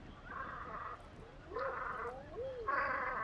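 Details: Velvet scoter at Liepāja, Latvia, March 2024, giving rough buzzy drawn-out notes in three bouts, with lower arched croaking tones sliding up and down between them.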